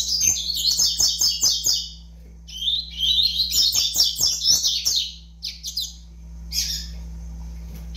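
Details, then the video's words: Young double-collared seedeater at five months of age giving two long bursts of rapid, high chattering song, then a few sparse squeaky notes, with a low hum throughout. "FILHOTE DE COLEIRO AVAX 5 MESES DE VIDA"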